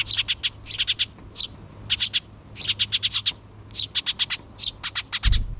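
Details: Intense begging from two sparrow nestlings with the mother bird present, June 6, 2023: fast strings of loud high chirps, three to five in a row, repeated almost without pause, a soft thump near the end.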